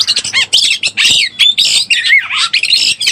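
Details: Oriental magpie-robin in breeding condition, as a lure call: harsh squawky notes broken by short sliding whistles, delivered in quick bursts.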